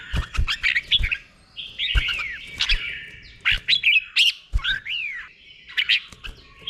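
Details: Red-whiskered bulbul singing the 'doubled' song style, slow and clear, played for caged birds to copy: short liquid whistled phrases with rising and falling slurs, in bursts, with sharp clicks and knocks in between.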